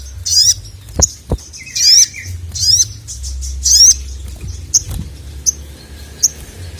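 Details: Sogon calling the male, giving a run of short, scratchy, high bursts with rising whistled tails, separated by sharp clicks and thumps, the calls thinning to brief single chips toward the end.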